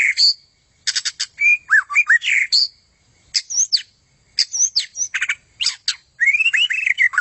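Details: White-rumped shama song used as training material for contest birds: a quick, varied run of clear whistles, slurred up-and-down notes and short buzzy bursts, broken by brief pauses.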